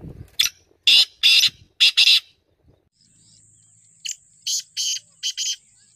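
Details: Black francolin giving two harsh, scratchy phrases, each a short clipped note followed by three longer grating bursts, the second phrase after a brief pause, with a steady thin high-pitched whine running underneath the latter half.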